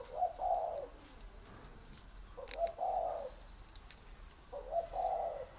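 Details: Spotted dove from a bird garden in Ba Vì, Hanoi, northern Vietnam, giving three low, mellow cooing phrases spaced about two seconds apart, each a short stepped coo ending in a longer drawn-out note; a steady high electrical hiss runs throughout.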